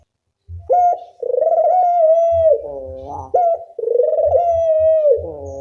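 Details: Two long, resonant Barbary dove coos from a loud lure used to train doves to call, each opening with a quick upward flick, holding a steady tone, then bending downward into a falling tail.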